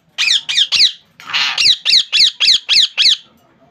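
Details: Captive ringneck parakeet squawking indoors: three sharp screeches, one longer raspy squawk, then six evenly spaced shrill calls in steady rhythm.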